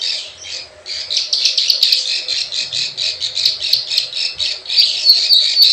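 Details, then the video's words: Plain prinia calling in a lure recording of the 'klik klik ciwah' type: rapid dry rattling chirps, about four per second, building after a quiet start, with faint low knocking sounds. "SUARA PIKAT PRENJAK SAWAH_KLIK KLIK_CIWAH"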